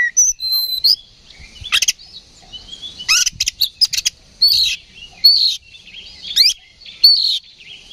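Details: Oriental magpie-robin in a provoking fight song, meant to stir rivals: spaced, sharp upslurred whistles and harsh buzzy notes, each brief phrase separated by short pauses.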